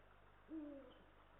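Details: Male and female Eurasian eagle-owls at a nest in Estonia, recorded by a live nest camera on 18 March 2022; a single resonant low hoot, short and gently descending, heard above a faint hissing background.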